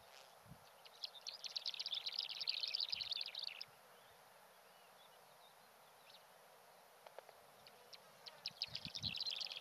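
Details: Black-bellied sandgrouse calling on Fuerteventura: a stretch of quick, buzzy, high chattering, then a quiet gap, then the chatter resumes at the end. Occasional low knocks are also heard.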